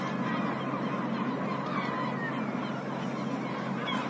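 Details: A colony of black-headed gulls in a city gives a dense chorus of harsh, squawking calls from many birds overlapping without pause over a steady low background rumble.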